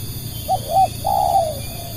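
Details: Lure call of a spotted dove: a quick short coo, a slightly longer second note, then one long, level coo that fades downward, against low background hum.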